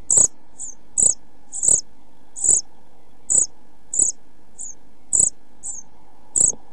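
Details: European pied flycatcher chicks aged 11–12 days in a nest box, 29 June 2013, nearly ready to fledge, give very high, thin begging notes in short bursts, about ten in seven seconds, each with a dull knock.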